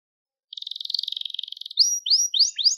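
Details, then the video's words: Crested Gloster canary singing, a recording meant for training young canaries: a fast buzzy trill of rapid notes, then a series of clear whistled down-slurred notes repeated about every quarter second. "Muhteşem Tepeli Gloster Kanarya Ötüşü | Gloster Kanarya Sesi | Kanarya Huylandırma"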